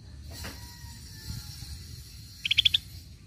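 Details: Scaly-breasted bulbul (cucak bersisik) used as lure sound: a short run of four quick, high, slightly rising notes near the end, preceded by faint rustling and a soft thin tone over low background hiss.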